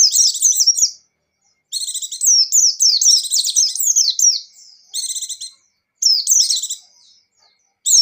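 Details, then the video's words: White-eye (pleci buxtoni) singing vigorously in the gacor and ngecir styles: bursts of rapid, high, twittering warbles with quick down-slurred notes, each about a second long, separated by brief silences. "Suara Burung Pleci Gacor + Pleci Ngecir"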